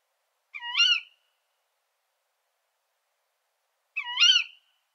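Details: Two identical shrill, nasal screeches from a female Tawny Owl, spaced about three and a half seconds apart. Each call climbs and then drops in a harsh, rasping sweep, with a quiet background. This call is known in dialect as 'kuwik'.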